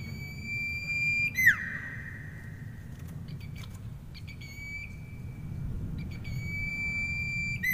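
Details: Common iora giving grincingan-style song: a drawn-out pure whistle that ends in a quick falling slur, then short stuttered notes before the sustained whistle resumes and swoops down again, with steady low rumble behind.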